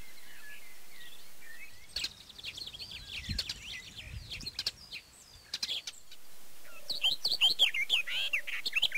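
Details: Barred warbler in Erdőhorváti, Tokaj, Hungary, early May 2013, recorded on a Canon EOS 7D: faint thin whistles from other birds, then a scratchy, rapid warbling burst of about four seconds, followed by another bright chattering phrase.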